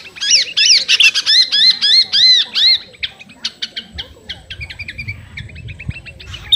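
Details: Sooty-headed bulbul singing to call a rival: a rapid run of arched, squeaky notes about three per second, then softer, thinner ticks and chirps trailing off.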